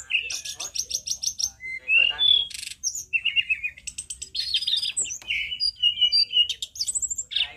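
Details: Tledekan gunung, a mountain bird in a loud tutor recording: fast, varied high song of bright whistles, slurred notes and rapid buzzy trills, dense phrases following one another with barely a pause.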